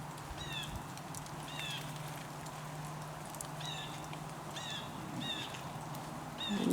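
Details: A blue jay gives about five harsh, slurred jay calls, one every second or two, over the steady low rumble of distant highway traffic, near ponds at Verona Beach State Park, New York, on an autumn day.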